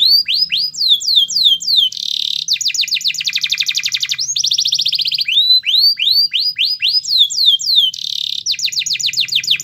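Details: Canary singing to provoke a silent bird into song: fast tours alternating swooping downslurred notes, dense buzzy rolls and rapid trills, all high-pitched and continuous.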